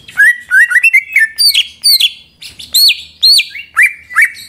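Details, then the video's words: A greater green leafbird sings as a lure to get other leafbirds singing: rising and falling warbled whistles in quick succession, followed by strong high notes that swoop downward, then lower upslurs near the end. "Pancingan Cucak Ijo Sangat Ampuh Untuk Menaikan Mental Ijo Lain Agar Mau Jamtrok Bongkar Materi"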